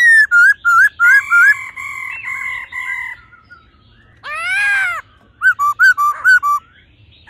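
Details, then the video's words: Female laughingthrush calling with male in 'old forest voice' song: short wavering whistles, long level ringing notes, a broad rasping scream, then a rapid series of sharp hooked whistles. "khướu mái ro +trống hót giọng già rừng.kích trống nhanh căng lửa"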